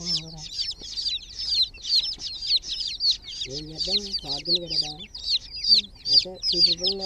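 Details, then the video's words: Many chicken chicks peep shrilly in a water pool, with rapid piercing chirps sliding down in pitch and a person speaking at intervals beneath them. "Groggy Murgi chicks Chirping sounds in water pool"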